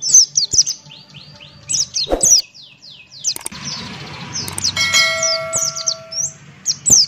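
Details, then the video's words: Buxton's white-eye singing loudly with open beak, a fast run of high descending whistled notes in bursts, ending with a sharp repeated figure and a brief tonal hum near the middle. "Burung Pleci Buxtoni Gacor Ngalas Buka Paruh"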